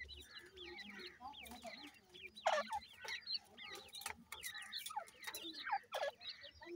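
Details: Young francolin chicks in a new season, peeping in a dense chorus of thin, wavering, downward-bending notes, with scattered sharp taps and a low background drone.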